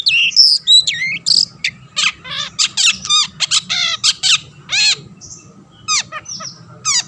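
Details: Long-tailed shrike singing continuously to provoke other shrikes into song: a fast, varied jumble of high whistled slurs, harsh buzzy bursts and sharp rattling notes, packed with little pause.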